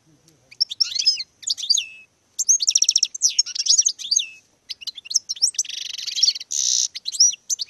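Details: Male European goldfinch in courtship display pouring out a fast, continuous jangle of liquid twitters, trills and buzzy rattles, with a short pause near two seconds and a harsh nasal buzz toward the end.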